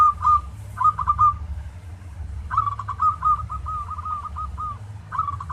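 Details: Zebra dove song from a local bird, used to train doves to sing: short clipped coo figures, then a long rolling trill of rapid notes finishing on a longer tone, over low-pitched background noise.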